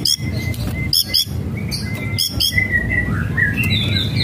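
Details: White-rumped shama whistling and rattling, meant to stir a lazy bird to sing: crisp clicking notes alternating with long, level whistles and rising, wavering phrases over low background noise.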